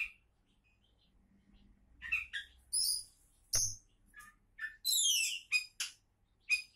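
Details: Oriental magpie-robin, or kacer, introduced as a champion candidate. A quiet opening gives way to quick chirps, scratchy notes and high whistles, ending in a rapid downslurred flourish.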